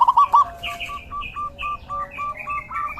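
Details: In the rainy season, a zebra dove opens with three quick loud bursts, then a string of short, evenly spaced clipped notes, while other birds twitter with higher whistles behind it.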